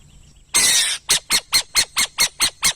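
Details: One extended raspy screech from a burrowing owl, then eight short, rough, evenly timed notes in a rapid stuttering series, close and clear.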